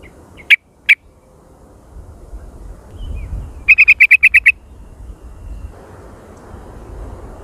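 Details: Sooty-headed bulbul jontrot lure call, very active and noisy: two isolated chirps early on, then a quick burst of about seven bright, repeated notes after a quiet stretch.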